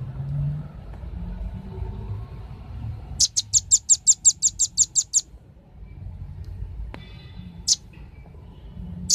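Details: Velvet-fronted nuthatch lure call, male and female, meant to draw in wild birds: about twelve evenly spaced high sharp notes in a two-second series, then two lone chips, over low traffic-like rumble.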